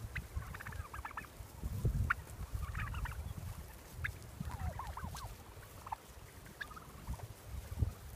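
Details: Heritage turkeys on pasture follow people on a walk through a pine stand, while a visiting grey hawk comes in close; short clucking and yelping notes come in scattered bursts over steady low rumbling and footsteps.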